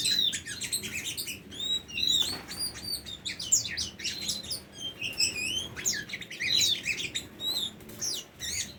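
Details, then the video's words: Tame Oriental magpie-robin singing a rich, varied song of clear whistles, slurred upward and downward notes and scratchy chips, delivered in quick bursts with brief pauses. "Burung Kacer Jinak"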